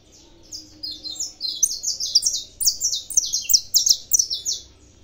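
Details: Saffron finch kept in Brazil delivers an accelerating, crowded song of high overlapping chirps that swell to a loud, continuous chatter in the second half.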